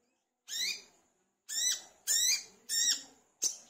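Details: Olive-backed sunbird in full song, used to stimulate other sunbirds: a lone bright chirp, a pause, then three fast rising-falling chirps closing in a brief sharp click.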